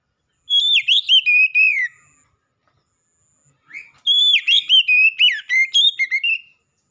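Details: Black-breasted oriental magpie-robin singing a loud, powerful song: two bursts of rich, varied whistled phrases with sliding and warbling notes, separated by a brief silence, with no other sounds.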